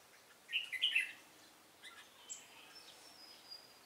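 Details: Decoy red-whiskered bulbul on a trapping set, 10 December 2016, giving its fighting song: a quick, fluty, three-note warbled burst, then faint thin whistles and quiet rustling.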